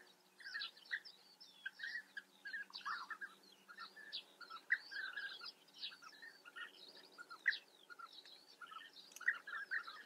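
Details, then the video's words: Breeding colony of European bee-eaters in the Eifel region of Germany: a steady chorus of throaty, trilled contact calls from many birds, overlapping and irregular, with thin higher notes scattered above. "European bee-eater. Germanys most exotic birds: Bienenfresser Kolonie in der Eifel."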